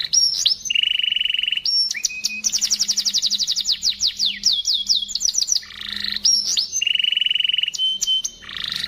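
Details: Canary in ngristal master song for tutoring other birds: sustained pure whistled tones alternating with extended rapid trills and quick downward sweeps, high and bright throughout, with faint background noise.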